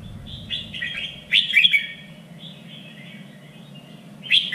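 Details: Contest-training song of a red-whiskered bulbul: soft chirps build into a loud warbled phrase, a pause of gentle whistles, then another loud burst begins, over a steady low hum.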